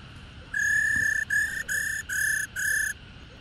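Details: Black-throated laughingthrush; female call; female call that stirs males into singing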